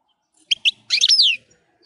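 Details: A wild European goldfinch gives two quick high chips, then a tinkling, buzzy twittered phrase sliding downward, all crisp and high-pitched against a quiet background.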